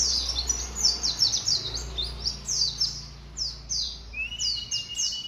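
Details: Young white-eye of three months starting its song: a fast run of high, descending twittered notes, closing with a long, steady whistle.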